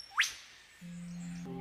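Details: A male superb lyrebird (Menura novaehollandiae) gives a single sharp, fast-rising whipcrack imitating a whipbird, followed by low steady musical tones. The mimicry is aimed at attracting a female, which it catches the attention of.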